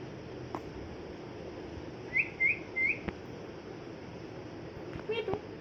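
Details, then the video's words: A moulting pet parrot, described as angry, gives three quick upward-sliding whistled chirps in a row. A few faint rough notes follow amid a constant background hiss. "Parrot Chirping Sounds"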